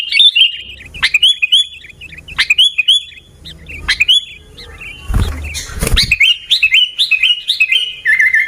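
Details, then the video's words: Sooty-headed bulbul in Pidie, Aceh, Indonesia, Gaya Garuda style: repeated short whistled phrases about a second apart, interrupted by a loud rustle, then resuming as a quicker warbling sequence. "Gaya Garuda Burung Kutilang"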